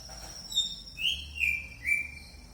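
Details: Singing red mantenan bird, described as very active, gives a run of four clear whistled notes, each sliding downward, over a faint constant high whine.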